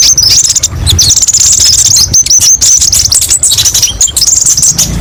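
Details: A kolibri ninja, known in English as the brown-throated sunbird, gives high, rapid, sharp-edged twittering in near-continuous strings, a masteran song rich in variations, with a low background hum.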